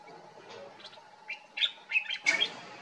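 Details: Morocco summer morning song of the common bulbul, Pycnonotus barbatus: soft scattered notes, then a rapid run of loud, bubbly chirps ending in a burst of sharp, bright notes, over a low background rumble.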